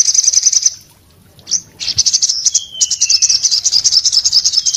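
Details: Orange-headed thrush in breeding condition, singing hard with open beak, said to set other orange-headed thrushes singing: dense high rapid trills, a pause, then a long falling whistle under continued chattering phrases.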